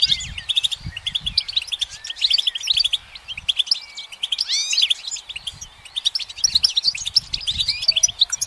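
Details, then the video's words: Goldfinch singing from a branch in bright sun, alternating bursts of bubbly, twittering notes and curved slurred whistles with short gaps, over quiet low background noise. "Notes of Encouragement The goldfinch's motivational song"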